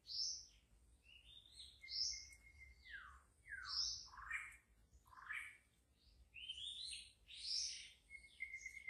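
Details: Deep-forest wild white-rumped shama delivering a lively, varied song of high whistles, swooping slurs, level piping notes and rich warbles, phrases following one another with brief pauses.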